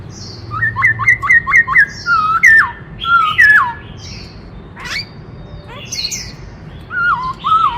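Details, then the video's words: Black-throated laughingthrush delivering many-voiced song: a fast series of six rising-falling whistles, dipping slurred notes, scattered squeaks and brief pauses before softer whistled phrases. "Tiếng Chim Khướu Rừng Hót Đảo Nhiều Giọng Hay Kích Bổi - Khướu bạc má hót"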